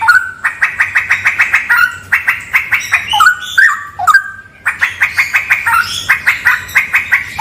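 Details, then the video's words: Straw-headed bulbul in a haunted cave, singing long rapid trains of rhythmic pulsed notes interrupted by a short phrase of gurgling, sliding whistles. "MP3 suara cucak rawa"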